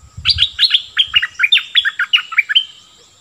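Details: A decoy cream-vented bulbul sings a fast, steady string of bright, down-slurred notes, roughly a dozen in two and a half seconds, with a few soft low thumps at the start.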